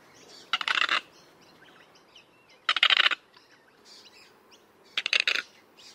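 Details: Common moorhen uttering three rough, buzzy, rattling bursts of about half a second each, spaced roughly two seconds apart, with soft chirps of other birds between.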